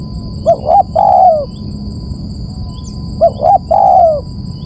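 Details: Spotted dove lure call, two phrases of short double coos followed by a long downward-sliding coo, spaced about two and a half seconds apart, with a continuous thin high tone behind.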